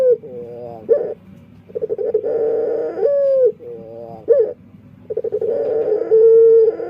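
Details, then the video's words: Dove known locally as burung puter giving its odd, possibly defective song: bursts of tremulous tone alternate with smooth held notes, each phrase ending with a sharp upward flick, phrases separated by brief gaps. "Suara Unik Burung Puter // Unique Sound Singing of dove"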